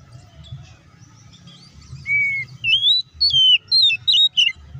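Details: Oriental magpie-robin singing a fighting song to provoke other birds: a steady whistled note opens a run of loud, rising and twisting whistles in short bursts, with faint background chirps and low rumble.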